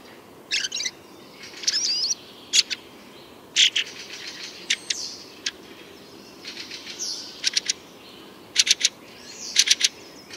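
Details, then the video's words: Night chorus of Fieldfares, their voice harsh rather than melodious: repeated short rasping chatter bursts mixed with thin squeaky notes, coming in irregular clusters over about ten seconds. "не так благозвучен голос дрозда рябинника но они тоже не отстают от своих собратьев и трещат ночью стройным хором [музыка] если"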